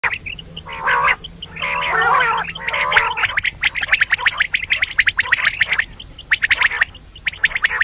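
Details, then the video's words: Female common quail calling, a recording meant for morning use: harsh gargling bursts at first, then a dense stream of rapid clicking, chattering notes. "Female Quail Calling"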